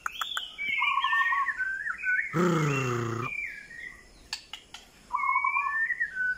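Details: White-rumped shama giving short whistled and warbled phrases, some flat and some wavering. A single harsh, grating burst lasting about a second comes midway, and quiet whistles follow.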